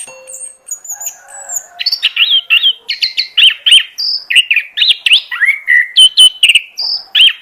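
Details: Oriental magpie-robin lure song for attracting birds, opening with a few thin high notes, then a fast stream of whistled, looping and chattering phrases repeated at a brisk, uneven pace.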